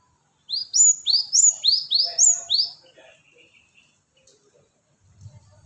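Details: Gelatik batu, the cinereous tit, in a lure recording: six or seven rapid, bright, rising whistled notes in a tight burst. A short soft warble follows, then near silence with a faint low rumble.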